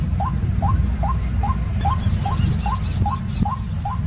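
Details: White-breasted waterhen giving a regular run of short upward-slurred notes, about two per second, with faint higher chirps midway, a low rumble and a continuous high hiss.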